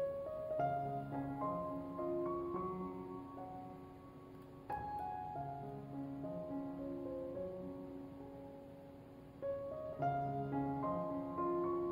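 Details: Slow, gentle piano music with sustained chords plays throughout, and no animal calls can be picked out.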